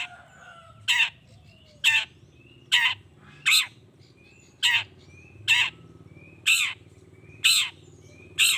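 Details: Long-tailed shrike voice used to stir other shrikes into calling back: grating rasps repeated nearly every second, with soft high whistles from other birds between them.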